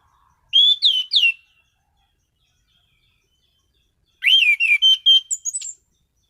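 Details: Orange-headed thrush kept as a songbird, producing two loud phrases of quick looping whistles, the second longer and ending in high thin notes, separated by three seconds of silence.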